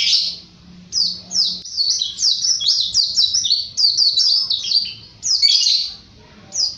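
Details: White-eye singing vigorously in 'ngalas' style: a near-continuous run of high, quick, down-slurred notes tumbling over each other, briefly rising into a louder twittering flourish before fading, over a faint low hum.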